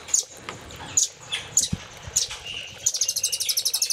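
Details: Velvet-fronted nuthatch in a Cililin-style master song: single sharp, high chips spaced about a second apart, then a dense quick trill of bright notes at the end.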